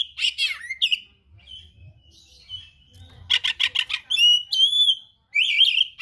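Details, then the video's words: Oriental magpie-robin in full song with rare fill-in material: swooping whistles, a quiet muttered stretch, a rapid series of harsh clicking notes, pure high whistles, then a loud wavering phrase. "KACER GACOR SPECIAL FULL ISIAN MATERI LANGKA"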